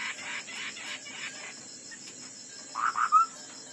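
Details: Ground hwamei in a fighting song contest, giving a series of quick repeated notes, a pause, then three loud rising whistled notes, with a constant high-pitched hum behind.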